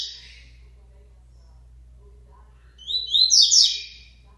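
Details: After a short fragment and a long pause, a Double-collared seedeater that is coming out of moult delivers one high, fast, buzzy twittering phrase, with low hum throughout.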